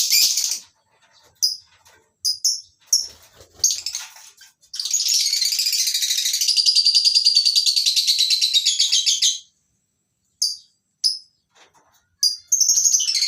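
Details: Lovebirds of several Agapornis species in a breeding farm's colony aviary in the morning chatter, with sharp high shrieks and a dense, buzzy burst of rapid repeated calls from many birds at once.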